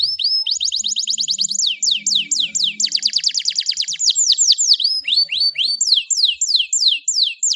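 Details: Canary song meant to stimulate a stressed canary that has stopped singing: fast, bright trills of rapidly repeated high notes, shifting into rolling buzzy phrases and then slower descending sweeps, continuous and loud throughout.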